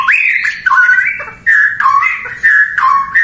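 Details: White-rumped shama (murai batu) song meant to draw a reply from rival shamas: clear, fairly level whistled phrases, some rising at the start, separated by short gaps.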